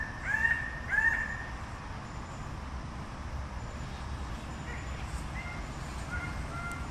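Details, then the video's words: A Red bird-of-paradise (Paradisaea rubra) gives two loud, ringing, slightly nasal calls in quick succession, then fainter short notes, over a steady low rumble. "Canto del Ave del Paraíso Roja"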